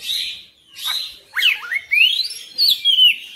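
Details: Oriental magpie-robin singing persistently and showing its full repertoire. Short phrases of smooth, rising and falling whistles and dipping slurs come one after another, ending in a bright high whistle.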